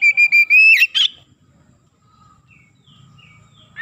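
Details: Brief burst of gacor song from an Oriental magpie-robin (kacer), used as a lure: a quick run of short clear whistles ending in a slurred upward note, then near silence.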